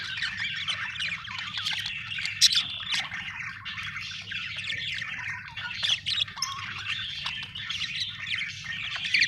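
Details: Happy budgerigar chirping: a dense, continuous warble of scratchy chatter and squawky notes with brief sharp chips, over a steady low hum in the background.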